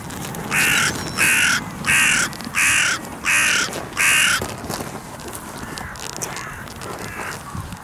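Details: A carrion crow at a clifftop site where 60-80 crows gather to greet the person feeding them; five loud, harsh caws at a steady pace, about one every seven tenths of a second, then quieter background.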